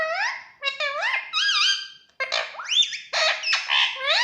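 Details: Pet Indian ringneck parakeet chirping indoors: a run of squeaky, rising and wavering calls, some with a wobbly up-and-down twist, in short bursts with brief pauses.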